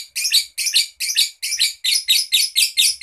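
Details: A young bird just beginning to sing well: bright, dense high-pitched chirping phrases in quick bursts, about eight short rasping notes repeated steadily over three seconds, with no other sounds.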